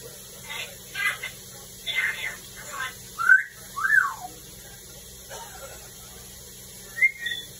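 A grey parrot chatters a few short speech-like phrases, then gives two clear whistles that swoop up and down, and one last brief whistle.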